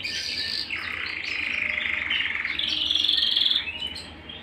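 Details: Canary singing at home, a continuous rolling trill that shifts pitch, rises into a brighter high tour, then fades.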